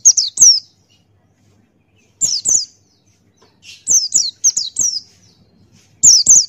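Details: Ngalas-style song of a Buxtoni white-eye: clear, very high falling whistles in tight pairs and runs of four, with a faint lower chirp between the bursts.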